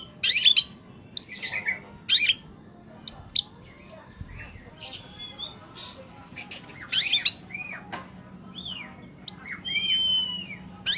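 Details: Oriental magpie-robin singing in top form as a lure for catching birds: sharp, loud whistled bursts and upslurred notes spaced by short gaps, later longer clear whistles and quieter twittering.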